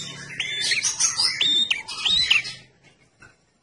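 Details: Red-headed prinia in lively song as a lure: a tumbling rush of high chirps, whistled slurs and trills for about two and a half seconds, then quiet.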